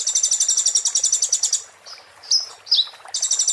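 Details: Muntah beling song of an Oriental white-eye, used as a tutor recording: a fast, even, buzzy trill of about one and a half seconds, then soft notes and two sharp slurred chips, before the trill resumes.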